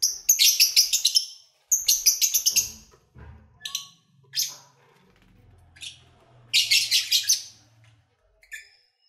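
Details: Lovebirds singing while playing and feeding; rapid pulsed chatter trains, then scattered squeaks and a further buzzy burst, with a low murmur in the background.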